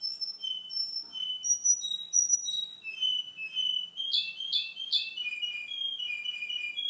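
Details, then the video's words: Singing male Russian canary, same bird two months on: short whistled notes step downward in sequence, followed by three sharp bright chirps and a rolling trilled passage. "RUSSIAN CANARY-РУССКАЯ КАНАРЕЙКА"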